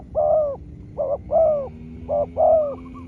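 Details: Spotted dove answering a wild small-voiced dove during a long contest: loud close coos, short and longer notes alternating, roughly five in three seconds, with a faint steady tone underneath.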